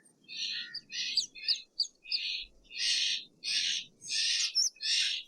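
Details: Steller's jay giving a run of harsh, rasping calls, short broad bursts repeated about twice a second, later notes longer and noisier, with a low background rumble.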